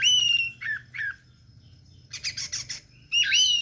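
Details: Orange-headed thrush 'teler' song for tutoring songbirds: clear falling whistles, a pause, then buzzy harsh notes, ending with a loud rising-and-falling whistle.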